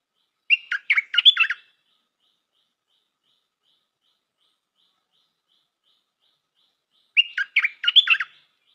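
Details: Two bursts of lively, chattering warbled notes from a stripe-throated bulbul kept as a new decoy, the phrases about six seconds apart over a silent background.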